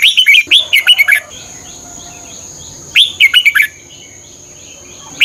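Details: Caged-bird training song of a Red-whiskered bulbul from Thailand: two lively whistled phrases, each a rapid run of chirpy, slurred notes about a second long, separated by quiet, with a constant thin high tone behind.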